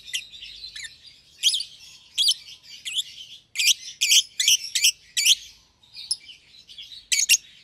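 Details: Two young lovebirds in a pair cage, one euwing green opaline and one red-eyed albino, chatter in rapid high chirps and buzzy trills, dense bursts in the middle then sparser notes.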